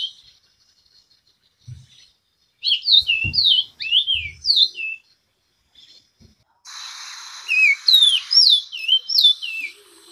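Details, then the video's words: Orange-crowned oriole singing: clear whistled phrases of quick, slurred notes that dip and rise, delivered in two bursts separated by a pause, with a few faint low thumps and brief hiss. "O canto do Corrupião de Coroa laranja ( Icterus Auricapillus )"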